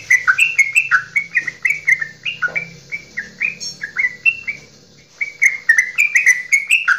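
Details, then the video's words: Straw-headed bulbul, a local Javanese bird, delivering a long goklikan song to stir other birds: fast bubbling notes, a brief pause near the middle, then another burst of bright warbled phrases over a quiet hum. "Cucak Rowo Jawa Goklikan Terpanjang"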